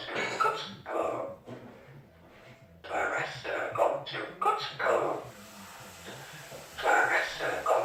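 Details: Indoor Amazon parrot, a mimic of some 40 phrases that also sings, voices a string of human words in clipped bursts, pausing briefly between repetitions, with soft breathy sounds in the gaps.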